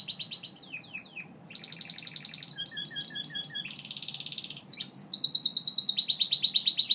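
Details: Gloster canary singing a varied song of rapid trills and buzzy rolled tours, switching phrase types every second or so, with sweeping whistled notes between high pulsed rolls; faint low hum underneath.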